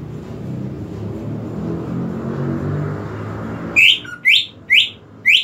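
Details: Greater green leafbird, a cage bird, heard after a stretch of low background rumble: four loud upward-sweeping whistles in quick succession, with a short low whistle between them.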